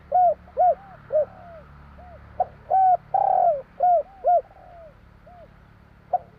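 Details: Javanese spotted dove, 'kuk 3' song style: a string of soft, hollow coos, mostly short, with one longer falling note in the middle and fainter answering coos near the end.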